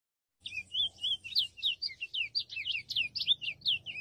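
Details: Free-living chestnut-bellied seed finch singing abundantly in the wild. After a short silence, clear whistles twist rapidly up and down, roughly three notes per second, with a soft low rumble behind.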